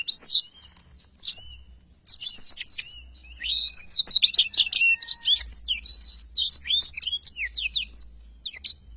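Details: Black-throated Canary in energetic long rolling song (ngerol panjang), recorded clearly as tutor audio for training songbirds: fast high twittering of varied sharp chirps, slurred whistles and buzzy trills, broken by short pauses.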